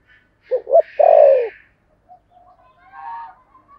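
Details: Decoy spotted dove ('thổ' voice) calling to attract other doves: a two-note coo and a long downslurred croon, overlaid by a brief raspy sound. Soft chirps and whistles from other birds follow.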